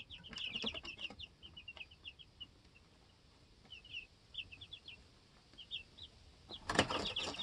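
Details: Baby chicks two weeks old peep in short high bursts on a homestead, with rustling scuffles at the start and again near the end, when they hop and flap about the coop.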